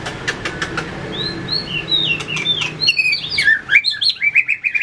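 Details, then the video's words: White-rumped shama in fighting-song training, flicking its tail and hopping between perches: soft whistles rising to a quicker burst of bright, warbled notes near the end, with sharp clicks early on. "luyện chòe lửa hót đấu,đập đuôi chạy cầu"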